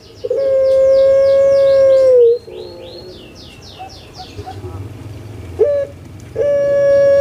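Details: Caged puter pelung dove kept in Java, Indonesia, giving a melodious, steady long coo: a level, pure note held for about two seconds that drops at the end, then a second held note starts, with faint chirps from other birds.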